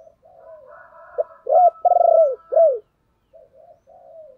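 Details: Decoy spotted dove calling, a voice meant to provoke and lure wild doves: soft low murmurs lead into a loud burst of three or four deep, rounded coos, the middle one stuttered, then quiet trailing murmurs.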